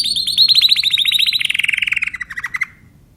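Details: Timbrado canary giving a rapid rolling trill that slowly descends in pitch and slows toward the end before fading.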